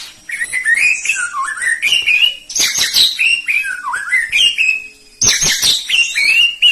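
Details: Rich whistled song of a Medan white-rumped shama: fluid rising and falling phrases in three runs, each opened by sharp high chips, with sweet slurred notes.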